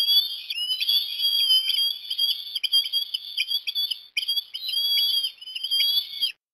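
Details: Port Lincoln, Australia, 17 December 2021: an osprey gives sustained, sharp whistled calls during a breakfast fish feeding for a chick, in two long runs split by a short gap.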